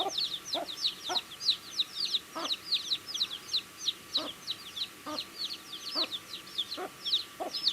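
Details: Baby chicks chirping while eating food: many overlapping high, downward-arched peeps, rapid and irregular, with soft low clicks or pecking taps recurring every second or so.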